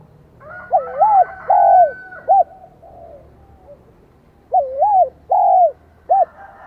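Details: Vietnamese spotted dove with a high 'giọng son' voice, starting to sing strongly: two repeated three-note coo phrases a few seconds apart, each a wavering note, a long held note and a short end note, with a faint whistle from another bird.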